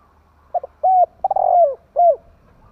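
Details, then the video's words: Kept spotted dove used to rouse other doves into calling: one clean phrase of two quick low notes, a long level coo, a grating, rattled note sliding downward, then a final short coo. "Chim cu gáy hay kích bổi nhanh nổi"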